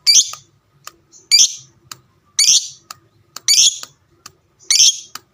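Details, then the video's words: Fighter-type pet lovebird giving calls meant to set other lovebirds answering: five harsh, rasping high squawks roughly every second, with faint clicks and a soft low murmur beneath. "burung lovebird fighter ngekek panjang suaranya sadis dengar sebentar langsung nyaut"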